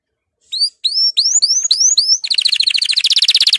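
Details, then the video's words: Canary song played to encourage other canaries to sing: a few rising whistled notes, then a fast rolling trill of rapid repeated high notes. "canari chant ساعة لتحفيز الكنار على الغناء"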